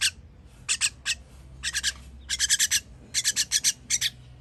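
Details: Chicks begging while fed, dated 21.06.23, producing dense strings of rough, buzzy rasps in bursts of three to five that grow busier midway.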